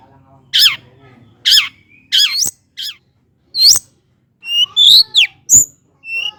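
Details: Long-tailed shrike (cendet) vocalizing to stir lazy birds to sing: loud harsh squawking notes sweeping down, followed by varied whistled and buzzy phrases with abrupt clicks.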